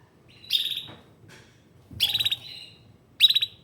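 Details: Canary giving three short bursts of bright, buzzy chirps with quick trilled notes, separated by brief pauses; a faint low background hum underneath.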